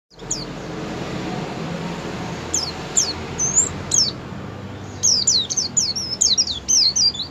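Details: Oriental white-eye (pleci) in ngerol sambung ngalas song style, used as a lure to make white-eyes open their beaks and sing. Hiss alone at first, then scattered high thin slurred notes, becoming a quick run of twisting whistles near the end.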